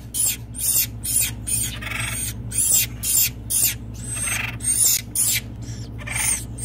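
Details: Acorn woodpeckers in rehabilitation at a bird rescue centre in Santa Rosa, California, giving harsh, raspy squawks in short bursts about twice a second, over a steady low mechanical hum.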